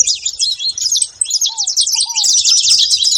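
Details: High, sharp saffron finch chirps pour out in a thick overlapping stream, briefly thinning near the start, with two lower, soft arched whistles in the middle.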